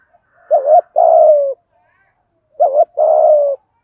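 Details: 'Giọng thổ' prompting coo of a spotted dove, used to excite wild birds: two matching phrases about two seconds apart, each a quick warbled note leading into a long, smooth, slightly dropping coo.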